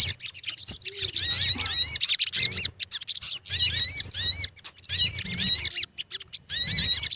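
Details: Sogon birds on a lure recording meant to make birds sing, pouring out loud overlapping high chirps and looping whistles in phrases a second or two long, over soft low rumbling.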